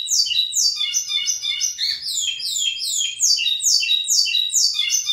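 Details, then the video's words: A local lined seedeater, called pico plat, sings loudly throughout: a continuous cascade of sharply falling, buzzy high notes overlapping in several layers, with a few lower slurred notes mixed in. "Local Pico Plat singing big"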